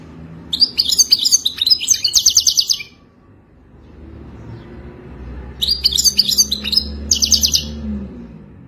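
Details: Moroccan goldfinch singing in the wadani style: two bursts of rapid, high, tinkling twitters and buzzy trills, each about two seconds long, separated by a quiet pause with faint low background hum.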